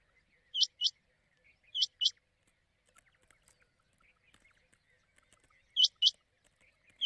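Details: Quail call for luring birds to hunters at night during the Sawani season. Quick high twin notes, each rising sharply, recur at uneven intervals amid faint crackling background noise.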